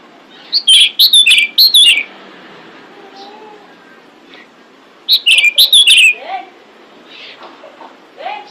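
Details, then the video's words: Female pied bushchat calling to attract males, used as a lure sound: two bursts of quick, bright whistled notes about four seconds apart, each burst a cluster of five or six sharp chirps, with faint lower whistles between. "Suara Decu Betina Pemikat Jantan"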